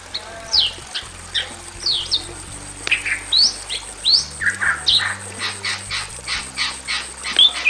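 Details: Male and female Bali mynas in a simple aviary sing loudly and persistently, giving sharp whistled upslurs and downslurs mixed with harsh squawky bursts, later a run of rapid buzzy notes, with a low steady hum beneath.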